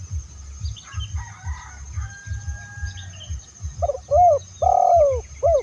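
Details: Lure recording of a spotted dove from Indonesia: faint chirps and a thin whistle from other birds first, then the dove's loud phrase of a short coo, an arched note, a long descending coo and a short end note, over low rhythmic thumps.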